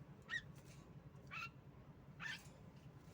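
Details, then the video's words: Female Javan myna recording used as a lure to get silent birds singing: three short, harsh, buzzy squawks spaced about a second apart over a steady low hum. "pancingan jalak kebo Macet Bunyi"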